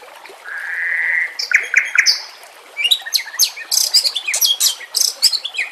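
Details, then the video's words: White-rumped shama training song with a natural background and trickling water: a sustained whistle, a few sharp notes, then a burst of rapid, high, scratchy chirps and trills. "Masteran murai batu TERAMPUH yang di pakai semua burung juara"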